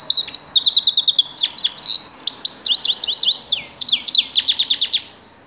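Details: A grey-crowned goldfinch delivers a continuous, rapid tinkling song of high twittering notes, quick downslurred chips and short trills, fading out at the end.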